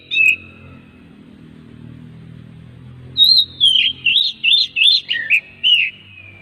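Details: Oriental magpie-robin song played to prompt other magpie-robins to sing: a short whistle, a pause over low background hum, then a run of about seven loud, clear, wavering whistled notes.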